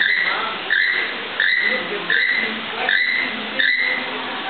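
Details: A male keel-billed toucan sings to his female while the captive pair court, a creaky, frog-like croak repeated steadily about every three-quarters of a second, six notes in a row, over a soft hum.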